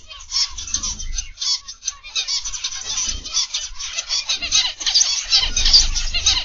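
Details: Aviary of zebra finches in the morning: continuous overlapping nasal honking calls from many birds, pulsing irregularly about twice a second, with low bumps and rustling beneath.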